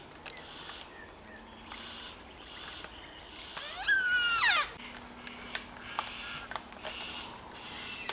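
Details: In bushland on Phillip Island in September 2016, a flock of about 20 yellow-tailed black cockatoos calls from the distance: one loud, drawn-out wavering wail over faint, scattered high chirps from small birds.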